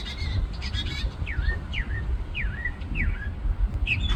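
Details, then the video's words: A songbird on a parking-lot treetop gives a few chirps, then four clear slurred whistles that drop sharply and level off, each about half a second apart, against a low, steady hum of background noise. "Bird Singing Its Little Heart Away"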